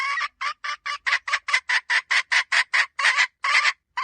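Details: Hen giving a rapid run of harsh, clipped notes, more than two per second, steady in pitch and loudness, with a brief pause near the end.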